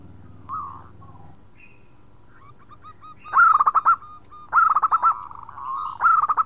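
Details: Local zebra dove in vigorous khong song, calling to companions: a soft opening coo, a run of quiet hooked notes, then three loud stuttering phrases about a second apart.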